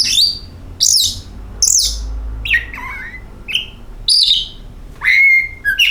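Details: Song of an oriental magpie-robin played to prompt birds to sing: loud high descending whistles, then lower sliding notes and a long steady whistle, with pauses between phrases.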